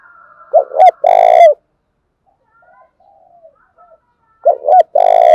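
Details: Spotted dove calling strongly to attract other doves. It gives a pair of short coos and then a long grating note, repeated after a pause. Faint softer coos drift in between.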